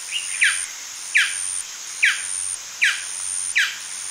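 A male golden dove gives five sharp, downslurred yaps, one roughly every 0.8 seconds, over a steady high hiss of insects.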